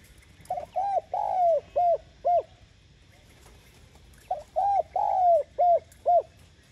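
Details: A spotted dove gives a calling song used to stir and lure other doves: two phrases of soft, low coos, each a short note, a longer drawn coo, then two clipped notes, against a quiet rural hiss.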